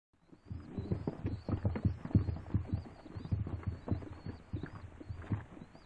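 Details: Rock doves cooing steadily, deep rolling pulses close together from more than one bird, with a faint high wavering whine running throughout.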